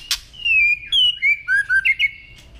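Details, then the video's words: Training recording of a white-rumped shama singing: a sharp click, then a string of pure whistled phrases, some flat, some dipping, a few quick rising notes near the end, over faint low background hum. "chòe lửa hót hay ❣ kéo thuốc lào ❣ hót giọng dây❣ để luyện giọng mỗi ngày"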